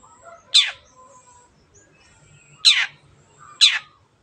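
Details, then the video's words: Long-tailed shrike sounds used as a lure to get stalled birds singing. Three harsh, downward-sweeping rasping notes, the first alone and the last two about a second apart, with faint soft chirps between. "CENDET GACOR PANCINGAN MENGATASI BURUNG MACET ATAU BAHAN AGAR RAJIN BUNYI"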